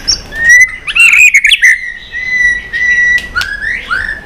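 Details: White-rumped shama in fired-up contest song with tail flicking: a long steady whistle, bursts of twittering notes, then a few rising whistled phrases.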